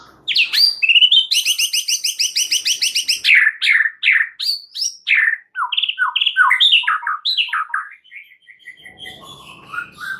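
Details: White-rumped shama (murai batu) in energetic, extra-chatty full song with mixed-in material: a fast run of rapid buzzy repeated notes, then varied whistled phrases sliding up and down, delivered in quick succession.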